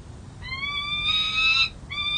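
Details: Peregrine falcon at the San Jose City Hall nest, 13 April 2023, where a second-year male tends three eggs and defends territory; drawn-out, harmonically rich wails, slightly rising, one long call then another after a short gap, over a faint low hum.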